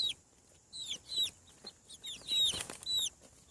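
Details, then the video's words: Farm chicks just out of the egg give piercing, downslurred peeps in clustered runs, with a brief rustle or flutter midway. "Chick sounds. Hatching From Egg 7 weeks / Sound of Chickens on the Farm"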